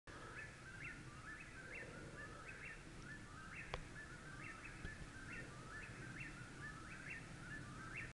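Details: An eastern whip-poor-will calls at night under a full moon in spring in Kentucky, repeating its ringing three-part 'whip-poor-WILL' about once a second, each phrase ending on a sharp upward whip, over a low rumble, with frogs present.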